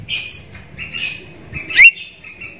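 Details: Javan myna lure recording meant to make silent Javan mynas start calling: harsh, grating high-pitched calls in three quick bursts, the last ending in a sharp rising squeak.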